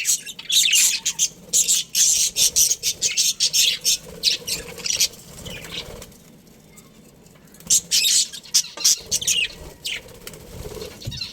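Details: Budgerigar colony with a breeding pair: clustered bursts of high scratchy chirps and chatter, a quiet gap of a few seconds, then more rapid chirping bursts.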